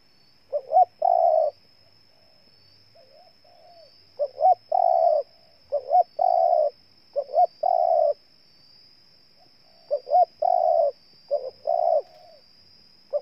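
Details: Cooing spotted dove in Ninh Thuận province, Vietnam. Repeated two-note lead-ins and long coos come in quick succession, with softer, lower coos from a second dove between them. A constant faint whine is present.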